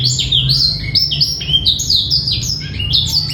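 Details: Short phrase of clear male black-throated canary song for tutoring young birds: bright high whistled slurs and chirps, several falling notes strung quickly together.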